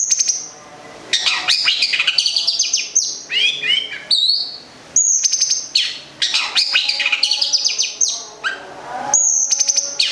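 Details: Song of a cendet, the long-tailed shrike, local bird from Gedong Songo in Central Java kept for its singing: high clear whistles alternating with rapid chattering chirps and rasping bursts.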